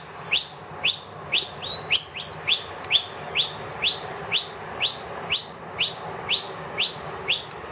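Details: Noisy miner, wild, indoors with two young and calling loudly for food from an empty feeder; rapid ringing rising chirps about twice a second, a couple of overlapping notes early on.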